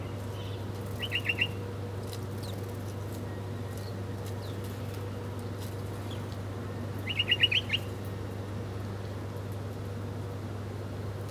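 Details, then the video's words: Birds at breakfast, chirping as they eat: two short bursts of rapid, high twittering notes about six seconds apart, with quiet stretches, a constant low hum and faint clicks between. "Different Birds Chirping Sound || Birds Are Breakfasting || Birds Eating Food"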